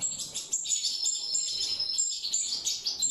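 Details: Mutation European goldfinches in natural breeding: a continuous high, bright twitter of rapid tinkling chirps and short trills, steady throughout.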